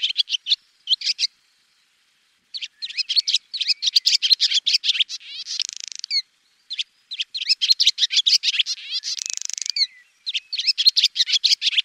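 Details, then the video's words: Swallow chattering in rapid high twitter phrases broken by short silences, with two drawn-out buzzy rattles around six and nine seconds; clean background with no other noises. "SWALLOW BIRD Sound Effect"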